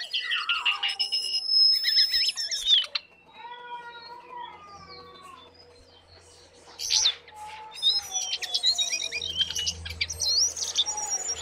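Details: Lesser shortwing singing bursts of high, tinkling, twittering notes, then a quieter gap of soft lower whistled slurs, before another busy high jumble returns; a faint low hum sits in the background.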